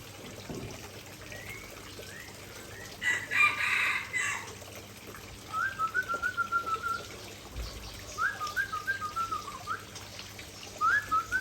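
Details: White-rumped shama, Aceh variety, presenting its isian: soft scattered whistles, a burst of rustling noise, then fast stuttered trills of evenly repeated notes and short rising phrases toward the end.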